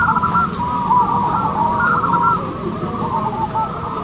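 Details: Local zebra doves at a singing competition: a dense chorus of overlapping soft, mellow cooing notes at a steady mid pitch, rippling and bubbling continuously over a low background hum.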